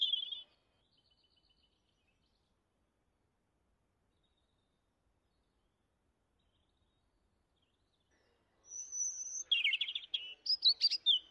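A robin gives a short high warble, falls silent for about eight seconds, then delivers a run of varied, sweet, high-pitched phrases with rising whistles.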